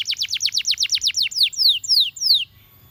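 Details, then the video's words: Canary phrase of about ten quick down-slurred whistles followed by four slower, longer descending sweeps, then silence. "The Ultimate Canary Singing Video From a Champion"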